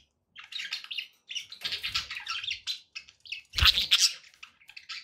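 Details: Dense, continuous budgerigar warbling with overlapping scratchy chirps and squeaks, plus a low splashing sound beneath the birds.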